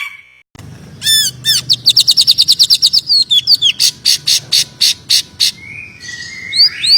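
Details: Greater green leafbird (cucak ijo) in full, vigorous song, described as a tight, dense voice with a magpie-robin flavour: rapid bursts of upswept whistled notes, then a run of evenly spaced sharp chips about four per second, ending in a few slurred whistles.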